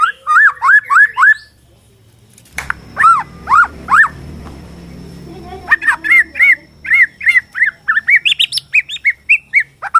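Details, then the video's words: Borneo white-rumped shama song, played to provoke shamas into singing and fighting: five quick slurred whistles, a pause filled with low rumbling hum, then four more and a fast run of clipped, rising notes. "KICAU BORNEO AMPUH BIKIN MURAI STRES SUSAH BUNYI AUTO FIGHTER NYAUT"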